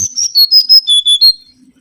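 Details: Kancilan bakau, or mangrove whistler, singing a lure phrase of about seven clear whistled notes that step down from high to lower pitch and end on a slightly higher note, all within about a second and a half.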